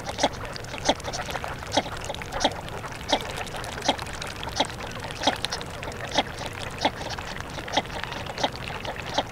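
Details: Series of short, low, wooden tuk notes from a northern shoveler, repeated steadily about every half second to second throughout, backed by a constant hiss with faint higher chatter.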